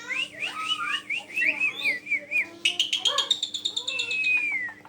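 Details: Black-collared starling singing persistently to lure other birds: a chain of wavy whistled notes, then a buzzy rising trill, then a long clear whistle sliding gradually downward.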